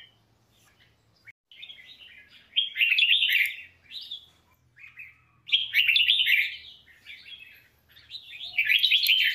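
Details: Red-whiskered bulbul, a famed singer used to train other birds, delivering a series of short whistled notes building into loud, jumbled warbling phrases roughly every three seconds, with a soft hum underneath.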